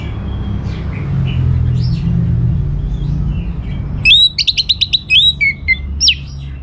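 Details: Orange-headed thrush song used to draw replies from other birds: quiet murmured phrases at first, then a loud rapid series of high sharp notes and slurred whistles in the last seconds, over low hum.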